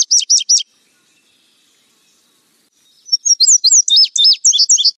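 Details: Indigo bunting singing: the last paired notes of one song, a silence of about two and a half seconds, then the next song begins with quick, high, doubled phrases. Quiet background.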